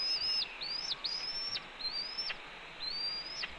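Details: Nesting red-tailed hawk at Cornell, late April 2013 morning, giving an earful to its mate during a branch delivery: a quick run of high, thin rising whistles, each ending in an abrupt downward drop, with faint noise beneath.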